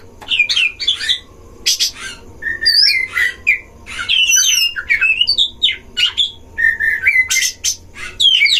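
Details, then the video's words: Caged Oriental magpie-robins duelling at a breeding site, singing to provoke other birds: a long, busy sequence of wavering high whistles, short level notes and scratchy bursts, delivered in quick repeated phrases. "DUEL KACER di kandang ternak‼️pancing semua jenis kacer cpt emosi"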